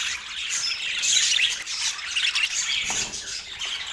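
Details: Parakeet eating its morning food on an autumn day; soft scratchy twittering with a few clearer whistled squeaks, fading slightly toward the end.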